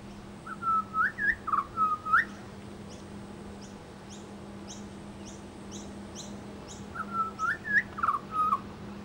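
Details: Australian pied butcherbird singing and mimicking local sounds in suburban Brisbane: a clear whistled phrase of looping notes, given twice about six seconds apart, with short high chips between and a steady low hum behind.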